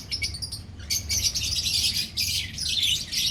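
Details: A colony of lovebirds chattering together: dense, shrill, high chirps overlapping almost without pause, with a brief lull just before the first second, then busy, scratchy twittering to the end.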